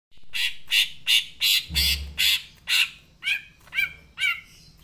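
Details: Green leafbird (cucak ijo) singing actively: a run of about seven loud, harsh, broadband notes, then four clearer downslurred whistles with ringing overtones, roughly two to three notes per second.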